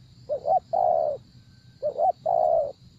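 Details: Spotted dove used in decoy luring, delivering two close phrases: a quick rising double note, then a long low mellow coo, with a continuous faint high whine behind.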